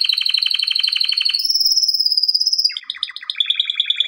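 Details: Male canary singing as a training song, a fast buzzy trill of repeated notes that shifts into a high sustained whistle, then a lower rapid rattling phrase.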